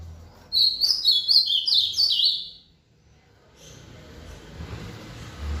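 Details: Ultramarine grosbeak singing in the rally style after an outing: one rich, warbled phrase of quick descending whistled notes lasting about two seconds, followed by quiet room noise.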